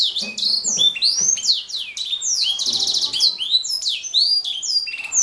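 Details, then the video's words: Canary singing energetic cascades of falling and rising whistles, with a rattling trill in the middle and a faint low murmur underneath at times. "Kicau Burung Kenari"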